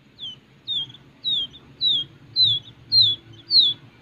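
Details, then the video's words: Captive-reared wild quail chick calling: seven clear, high-pitched descending whistles, each short and sliding down, repeated steadily about every half second, with a soft low background rumble. "ANAK BURUNG PUYUH LIAR"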